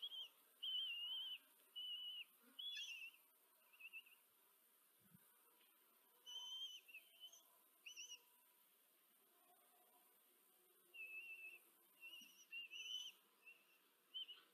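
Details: Common kestrel nest in Tiszanagyfalu, Hungary, filmed 14 July 2023 by a live nest camera as the female feeds four chicks. Many wavering, whistled calls come in clusters with pauses between them, and a faint background hiss runs throughout.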